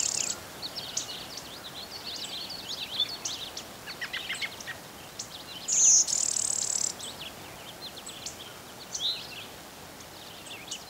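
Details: Blue-winged Warbler in Pennsylvania thickets of Westmoreland County, by the Conemaugh River; one loud high buzzy note lasting about a second stands out midway amid a busy chorus of short chirps and trills from other birds.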